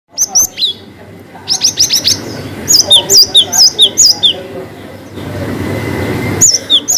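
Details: Cinereous tit singing in the long 'wucit' style with variations, meant as a lure for reluctant gelatik batu: high whistled two-part notes, sharply rising then dropping, in quick runs separated by brief pauses over a low background hum.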